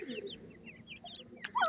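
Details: Grey francolin (dakhni teetar) chicks while feeding: a run of short, thin peeps, each a quick slurred note, repeated rapidly and overlapping, with a few lower soft notes and a brief click near the end.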